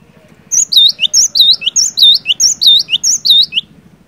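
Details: Lively cinereous tit song meant to stir quiet birds into singing: a brisk, steady series of about eight repeated phrases, each a piercing high note, a looping swooped whistle and a short falling note, with a faint low hum beneath.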